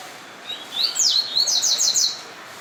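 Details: During a dispute between yellow-bellied seedeaters, one bird gives a high, bright phrase that opens with slurred notes and then runs into a quick string of sharp, repeated twittering elements, over a light background hiss.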